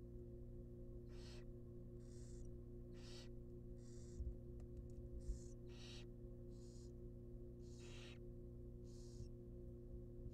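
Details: Young wild barn owls in a nest box, fed a rabbit, give repeated short, breathy hisses roughly every second, with occasional thumps and a steady electrical hum.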